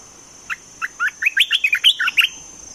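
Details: Olive-winged bulbul, a caged decoy used in bird trapping, delivering a lively burst of a dozen rapid, slurred chirps that rise and fall, bunched into a tumbling phrase lasting under two seconds, against a quiet background.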